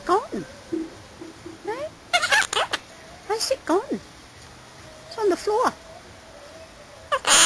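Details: A pet monk (Quaker) parakeet talks about its finished apple, chattering in short, speech-like phrases such as "nice" with swooping tones and sharp clicks.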